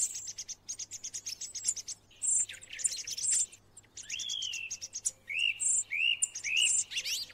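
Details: Song thrush singing a run of rapid ticking notes, then clear rising whistles and high ringing phrases, each phrase short and spaced by brief pauses.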